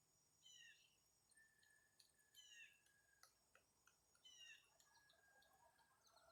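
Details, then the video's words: Red-headed woodpeckers, just arrived that day, calling from a tree: loud, harsh, falling calls about every two seconds, with a steady thin whistle and faint insect hum behind. "Red headed woodpeckers in tree making loud noises"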